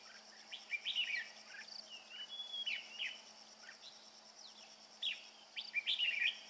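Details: Red-whiskered bulbul, a male feeding young, singing in a ringing bell-like style while carrying food: bright, warbled whistled phrases with quick rising and falling notes, coming in bursts over a faint steady hiss.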